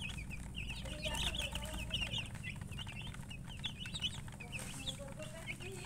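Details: Chirping from coloured chickens, murgi hens: rapid, bright peeps tumble over one another in dense clusters, sometimes two or three per second, with a constant low droning background.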